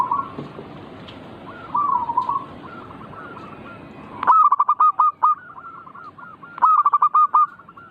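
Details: Zebra dove singing to provoke other doves. Softer, more distant cooing phrases at first, then two loud close phrases of fast staccato coos ending in a drawn note, with faint doves continuing behind.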